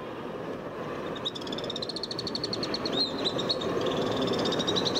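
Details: High, rapid trilling of Alpine swifts, recorded in Hérault, France, in July 2022. Begins after a second and runs on as a long, even series of fast repeated notes, with a steady broad rushing noise underneath.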